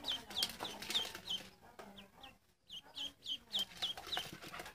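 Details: Ducklings chirping: a steady run of high, thin, downward-sliding peeps repeated several times a second, with a short quiet gap midway, over a soft background of low clucking and indoor rustle.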